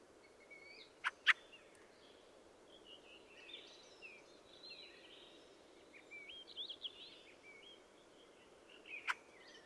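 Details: Fieldfare singing a long run of squeaky, wheezy, twittering phrases, opened by two sharp harsh chacks and closed by another, over steady background hiss.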